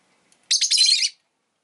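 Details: Rosy-faced lovebird kept as a pet letting out a single harsh, continuous high chatter lasting over half a second.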